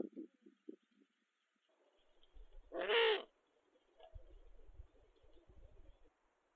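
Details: Courting Eurasian eagle-owl pair, the female with a new male after losing her old partner; a single loud harsh raspy call in the middle, soft short low hoots before it, faint low rumbling after.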